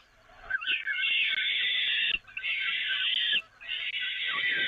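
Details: Peregrine falcons on the nest grating at the Evoluon during a feed, 13 May 2018: three sustained, grating screeches of a second or more each, with a faint click between them.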